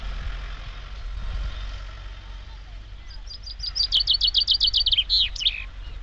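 A chaffinch's bright song: a rapid series of high notes tumbling downward in pitch, ending in a quick flourish, over a low traffic rumble.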